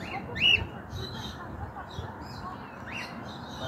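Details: Escaped cockatiel found on a rooftop, roaming free where the species is not normally found; a single strong up-and-down whistled call at the start, a fainter similar note later, with faint background noise.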